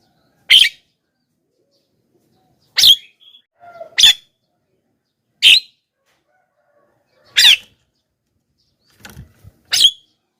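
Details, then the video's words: Javan myna calls intended to lure wild mynas: six abrupt, scratchy squawks at irregular gaps of one to two seconds, with faint short notes and rustling in between. "suara BURUNG JALAK KEBO,gacor menggelegar,semua jalak kebo auto nyahut"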